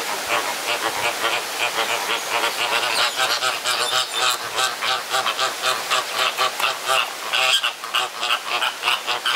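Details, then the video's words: Flamingos fighting in a crowded enclosure at Jardin Botanique de Deshaies, Guadeloupe; a dense chorus of harsh, goose-like honks overlapping continuously, several birds calling at once, growing louder and busier toward the end. "Flamingos Fighting"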